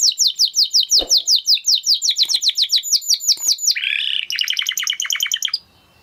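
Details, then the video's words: A Spanish Timbrado canary sings a run of crisp, high notes repeated about eight times a second, then a short harsh buzzy roll, then a faster tinkling trill that cuts off sharply. "Canary Sound Effect - Canary Singing Video"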